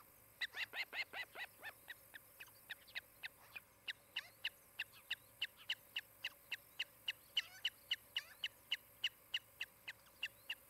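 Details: Osprey at a nest cam in Charlo, Montana, on 23 July 2018 in late morning; a pair building a nest. It gives a long run of sharp, high chirped calls, about three to four a second, steady and slightly accelerating, over a faint hum.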